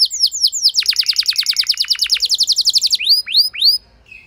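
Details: Canary singing to provoke a less eager bird into lengthy song; a fast string of steeply falling notes, then a few slower upward-curving whistles before fading out.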